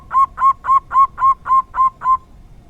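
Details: Zebra dove of a local strain in the rare 'dor tak kowor kowor' style, giving eight evenly paced, rounded cooing notes over about two seconds, steady in pitch, with nothing else audible.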